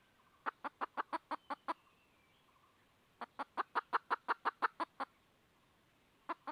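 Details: Red junglefowl hen seeking a rooster: two runs of quick, sharp clucks about three per second, separated by a pause, over faint background hiss, with a final lone cluck.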